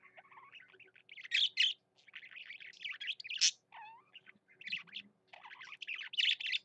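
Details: Caged male budgerigar singing vigorously, mixing buzzy chatter with sharp squeaks and a few falling whistled notes, in uneven bursts separated by brief gaps.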